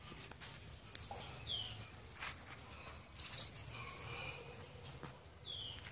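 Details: Tickell's blue flycatcher in Sri Lanka: brief, thin, high whistled notes sliding downward, one near the start and one near the end, with scattered faint chirps, clicks and steady background hiss between them.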